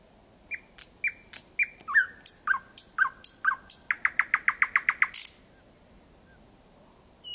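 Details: Thrush nightingale singing at night, 01:23 on 8 May 2020 in Kiili parish, about 4 or 5 metres away: a few slow piping notes, then harder clicking notes speeding into a rapid rattling run, ending in a harsh burst.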